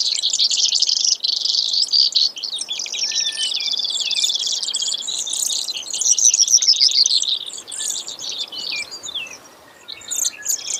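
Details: Long canary-like series of high trills from a Brewer's sparrow, changing speed and pitch as it goes, fading into scattered notes toward the end.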